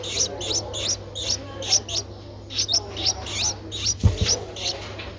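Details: Eleven-day-old Streak-eared bulbul chick in Ubon Ratchathani, Thailand, recorded 13 April 2023; sharp, high chirps repeated steadily, about a dozen in five seconds, with one dull thump near the end.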